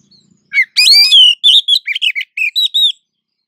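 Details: Oriental magpie-robin female in breeding condition calling to attract the male in an exchange of calls; loud bright phrase opening with a rising note and a sustained ringing whistle, then a quick series of short sharp chirps, about ten notes in total.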